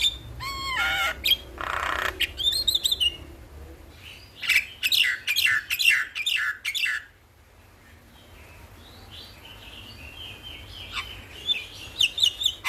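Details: Jalak kebo (buffalo starling) in morning song, a master recording for training birds; wavering whistles and harsh bursts, a series of rapid chattering notes, a quiet pause, then softer high warbles.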